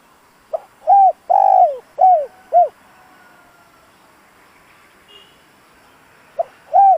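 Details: Decoy spotted dove cooing to provoke wild birds: a five-note phrase of warm, falling coos, a quiet pause of about three seconds, then the next phrase begins.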